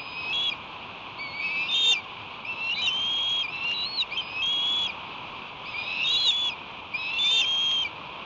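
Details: Young ospreys about two months old at a nest, fighting over a delivered headless striped bass, give thin high chirping calls in bursts every second or so over steady wind-like noise.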